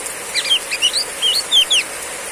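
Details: Female Oriental magpie-robin in heavy rain giving a clear riwik ngeplong phrase: several loud, slurred whistles, mostly downward swoops, delivered rapidly in pairs over steady rain hiss.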